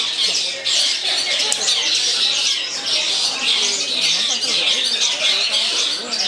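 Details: Long-tailed shrike (Lanius schach), a competition-placed bird known for long-running song, pours out a dense, harsh, unbroken chatter of high scratchy notes and quick trills, with faint voices low in the background.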